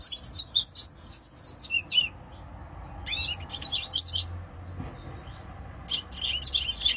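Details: European goldfinch in full song, bursts of fast liquid twittering and buzzy high trills, broken by short pauses between phrases; low background hum.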